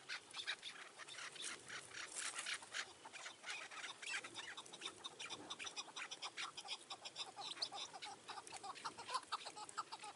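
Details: Chukar partridges on a mountainside at evening in June 2018 while a trap is set; dense, rapid chucking notes pour out without pause, bright and harsh, with outdoor hiss behind.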